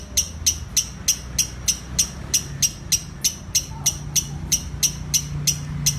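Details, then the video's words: Lovebird giving spaced, sharp high chirps, about three each second, evenly repeated for six seconds, the run that leads into ngekek singing; faint low background hum. "Love Bird ngekek 2 menit"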